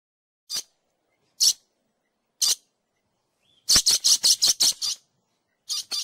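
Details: Dusky lory, a parrot also called the white-rumped lory. It gives short, shrill, high screeches: three spaced single notes, then a fast run of about seven harsh bursts, followed by two more.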